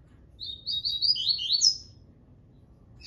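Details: Double-collared seedeater giving its Tui Tui song: a short burst of high, clipped whistles descending in pitch, closed by a sharp upward note. Near-silence follows, and a new phrase just begins at the end.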